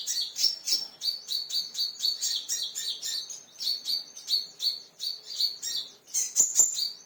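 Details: A kingfisher, agitated and provoked by a lure sound, gives a steady stream of shrill, high notes, about two each second, ending in a few sharper, louder notes.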